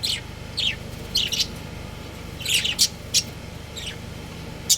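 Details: Pet budgie breeding pair twittering: downward-sliding chirps and short squeaky notes in small irregular groups, fairly loud, with a low constant hum in the background.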